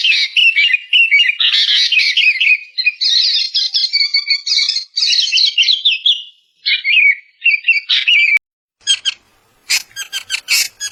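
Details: An Ashy bulbul gives a fast, bubbly chatter of high, slurred notes for about six seconds, then shorter bursts, ending with a few sharp clicks.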